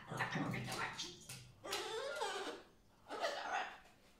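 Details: A pet cockatoo chatters at a fake cockatoo in three raspy, speech-like bursts with wavering pitch, each about a second long, in a small indoor room.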